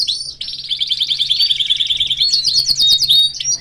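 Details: A male canary with his family sings a dense, fast rolling trill, then runs into a series of quick descending whistled slurs near the end.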